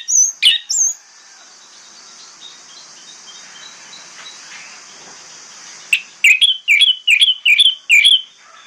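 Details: Orange-headed thrush in the morning singing as a lure for other thrushes; a few sharp notes, a long quiet stretch of faint distant chatter, then a run of six evenly spaced loud whistled phrases.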